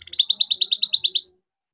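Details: Young farm-bred canary giving a short, bright, rapid series of about a dozen pulsed notes, then silence.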